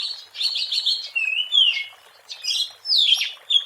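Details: Oriental magpie-robin (Copsychus saularis) recorded wild, its vigorous song used for luring; rich chattering notes followed by bright, clear slurred whistles, alternating in quick phrases.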